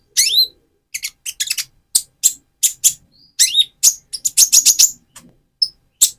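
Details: Van Hasselt's sunbird in spotted plumage, used to provoke and stimulate another sunbird: sharp high chirps and downslurred notes in quick irregular series, punctuated by brief gaps and a faint whistled note.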